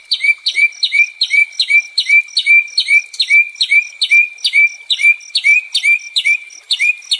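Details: Repetitive song of a White-rumped shama, meant to restore a stressed shama's fighting spirit: one short phrase of a high sharp note and a ringing lower whistle, given again and again at a fast, steady pace.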